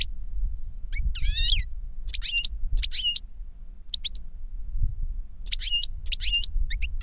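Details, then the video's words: Instructive song from an older goldfinch to a younger bird: a rising trill, then repeated looping, metallic twitter phrases at roughly half-second intervals, with pauses between groups and a soft low rumble behind. "Older GOLDFINCH SINGING to Teach Younger Goldfinch"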